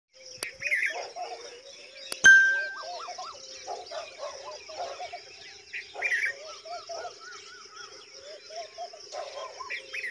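White bulbul giving bubbly, liquid chattering phrases in the mid range, repeated every second or two, over a steady high insect hum, with a sharp clink early on.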